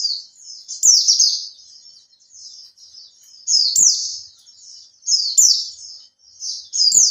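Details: Caged Oriental white-eye, kept for three months, singing a lure song to set other birds singing: high, thin twittering bursts with rapid downslurred notes, four phrases spaced one to two seconds apart, softer chatter between, faint clicks.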